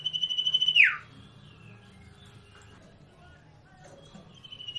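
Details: Common iora, known locally as sirtu or cipoh, gives a long steady high whistle that drops in a quick downward slur. A faint low hum underlies it, then near silence.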